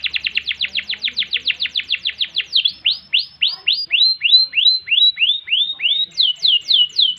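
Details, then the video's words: Canary singing fast repeated downswept notes that slow into a series of rising slurred whistles, ending with a few higher sweeping notes. "Kenari Gacor Panjang Ngerek Ngerol Nembak Mantap Buat Masteran dan Pancingan | Bird Singing"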